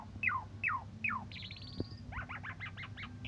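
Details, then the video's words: Asian pied starling (Jalak Suren) song in morning or evening: three clear falling whistles, a fast buzzy trill, then six quick warbled notes, over a low steady hum. The song is used as a master recording to train other songbirds. "Suara Jalak Suren Bikin Emosi Burung Lain"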